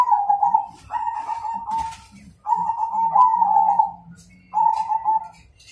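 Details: Zebra dove of the Majapahit type, singing to challenge a rival to fight: loud rolling mid-pitched cooing phrases of about one to two seconds, separated by short pauses, with faint lower coos beneath.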